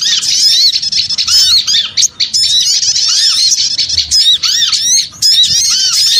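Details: Lure sound of many small birds calling together: loud, shrill, overlapping squeaks and slurred chirps in a constant high chorus, broken by two short lulls.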